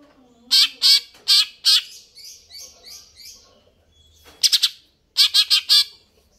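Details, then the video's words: Lively greater green leafbird: four loud, sharp chirps, then softer trailing notes, followed by fast bursts of three and four bright chirps. "cucak ijo"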